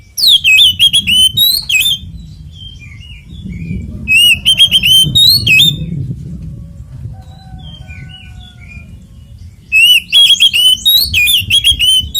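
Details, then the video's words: Fighting song ('ngeplong tarung') of an Oriental magpie-robin, meant to provoke others of its kind into singing: three loud bursts of rapid, chattering whistles and slurred notes, separated by quieter stretches with soft scattered chirps and low background rumble. "SUARA BURUNG kacer gacor NGEPLONG TARUNG konslet"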